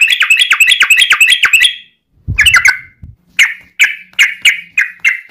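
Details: Yellow-vented bulbul song, long rapid 'ropel' chatter, used as a lure to make other bulbuls sing: a fast buzzy run of notes, a brief pause with low thumps, then loud clipped whistled notes repeated about twice a second.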